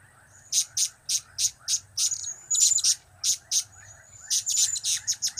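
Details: Rapid, piercing high chirps from a blue-crowned hanging parrot, about three per second, in cap, kiak and crap calls, with a brief gap before a quicker closing run.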